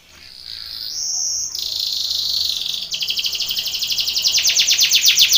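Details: Belgian canary training song meant for contest birds, opening with a sustained high buzzy roll, shifting pitch, then breaking into fast rhythmic pulsed rolls that grow louder toward the end.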